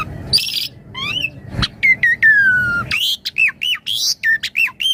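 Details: A Javan pied starling sings varied 'isian mompa' for master training and luring: a harsh rasp, slurred whistles, a long slowly falling whistle, then a rapid run of looping chattered notes.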